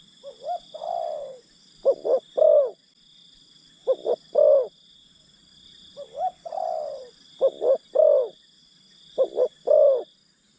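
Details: Spotted dove decoy coaxing wild doves, mixing rising then falling slurred coos with crisp three-note phrases, short-short-long, repeated through the clip against a steady high background drone.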